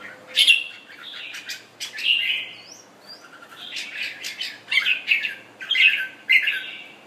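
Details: Kept red-whiskered bulbul of Thailand origin, newly moulted, performs a display song of bubbly warbled phrases, a couple of thin rising whistles in a lull, then fuller repeated warbles with cage clicks.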